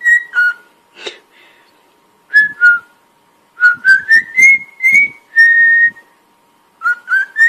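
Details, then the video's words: Whistled cockatiel tune used in song training: paired notes, a brief click, then a rising sequence of short whistles climbing to a held note, ending with three more rising whistles. "Aprenda Como Ensinar a Calopsita a Cantar"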